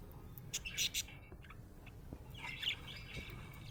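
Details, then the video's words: Budgie in a happy mood, giving a few sharp high chirps early, a pause, then a longer warbling chirp near the end, with low background hum throughout. "Happy budgie chirping sound"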